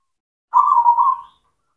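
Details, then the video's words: Single zebra dove song phrase, used as a lure to make silent doves sing: one rapid, pulsing, cooing burble lasting under a second, steady in pitch and fading at the end. "PANCINGAN PERKUTUT LOKAL, PERKUTUT CEMANI GACOR, AMPUH UNTUK MASTERAN PERKUTUT BISU"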